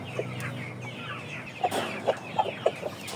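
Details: Chickens in a Malaysian flock of Aseel, Shamo and Ganoi Saigon breeds give short, sharp clucks, spaced about half a second apart, over a steady low hum.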